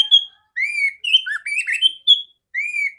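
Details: Female oriental magpie-robin whose song serves to train other magpie-robins, giving long, clear, slightly rising whistles and a wavering warbled note, each separated by short gaps.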